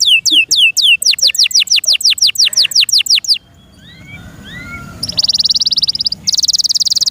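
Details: Pet canary song in bursts of rapid, repeated downslurred whistled notes, then a short soft twittering gap and a loud buzzy trill held in two stretches.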